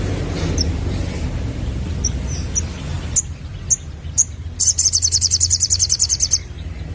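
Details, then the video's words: Sunbird lure sound aimed at young birds: faint high chips spaced apart, growing louder, then a long rapid pulsing trill of high notes near the end over low hum. "Burung Sogon Muda Bakalan Langsung Nyaut Denger Suara Pancingan ini"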